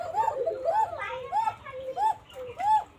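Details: Banshiraj Koka pigeon, a native domestic breed from Tanore, Rajshahi, whose call is described as thin and flute-like. Rising-then-falling coos repeat about every half second, some overlapping, with faint background noise.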